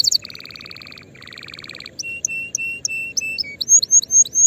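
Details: Canary song to teach young birds early for the coming season: a low pulsed buzzy roll repeated twice, then alternating high and low whistled notes, ending with bright rising whistles about every quarter second.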